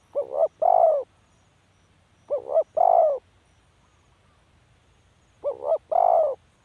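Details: Three repeated coo phrases from a spotted dove, about two and a half seconds apart. Each pairs a short wobbling note with a longer, fuller, steady coo, low and mellow in tone, against near silence.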